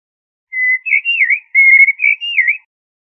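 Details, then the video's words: Common blackbird, known locally as jahmumiya or zaryab, sings two short fluty phrases, each a level whistle breaking into a rolling warble, separated by a brief pause; clean, quiet background. "تغريد طائر الشحرور جحمومية الزرياب Turdus merula"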